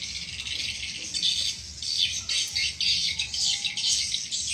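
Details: Recorded swiftlet calling used to lure swiftlets: thick, high-pitched twittering in quick pulsing bursts, several per second, forming an unbroken chattering chorus.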